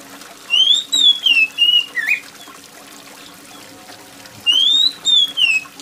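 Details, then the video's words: Oriental magpie-robin sings loud, clear, shrill whistled phrases that rise, then slur downward, in two bursts a few seconds apart, over a steady patter of rain. "kacer gacor + suara air hujan"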